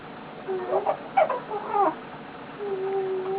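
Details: Gizmo, a male eclectus parrot lying on his owner, makes soft low whistled murmurs with a few quick chattering bursts, ending in a long steady whistle; otherwise quiet indoors.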